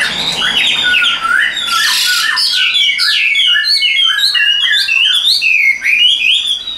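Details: Even-voiced tame caged Chinese hwamei pours out a fast, varied string of sliding whistles and sharp upward-flicking notes with little pause.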